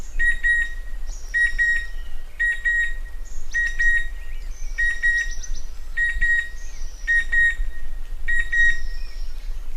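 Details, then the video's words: Chestnut-winged cuckoo giving metallic, paired whistles repeated about once a second, with fainter calls of other birds and a low background rumble behind. "เสียงนกคัดคูหงอน Chestnut-Winged Cuckoo Sound"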